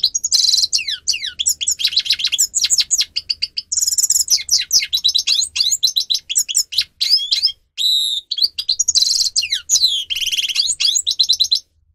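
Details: Continuous twittering song of a grey-crowned goldfinch, meant for teaching caged birds, full of quick downward-slurred notes, buzzy rattles and bright tinkling chirps with barely a break.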